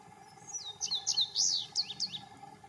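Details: An Indigo Bunting sings in the rain in Denton, Texas: a quick, high, sweet run of varied notes, many doubled, lasting under two seconds, over a soft steady patter of rain and a low hum.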